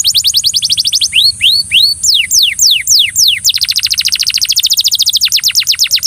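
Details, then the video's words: Belgian canary singing to coax another canary into song: quick falling whistled sweeps, then a few rising slurred notes and long downward slides, ending in a fast rattling trill, over a steady high electronic whine. "Canary bird coaxes friend to sing! Belgian Canary"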